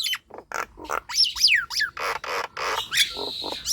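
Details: Nias hill myna song played to coax sluggish birds into singing, made of rough squawks and noisy bursts with a few sharp whistled sweeps near the middle and end.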